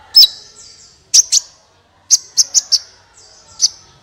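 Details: Sunbird singing, used to prompt other birds to sing: sharp, very high chirps in short clusters of two to four, each trailing into a thin level whistle, with quiet gaps between.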